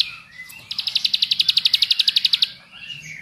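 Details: Bar-winged prinia song played as a lure to set other prinias singing: one burst of about twenty rapid, evenly spaced high chips lasting under two seconds, with faint chirping before and after.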